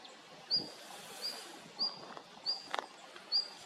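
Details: Female red-flanked bluetail giving short, thin, high whistled notes, each with a sharp rising start, repeated about every 0.7 seconds, over a soft background hiss with a faint click.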